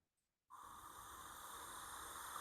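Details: Eastern Screech-Owl (Megascops asio) of North Carolina gives its typical whinny or trill call, a steady, tremulous mid-pitched trill after a brief silence, over a strong background hiss.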